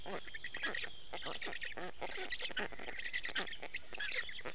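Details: Black stork storklets in Estonia being fed fish by their father at dawn, 29 May 2018. A dense, continuous run of rasping, quacking begging notes, several per second, with faint high birdsong behind.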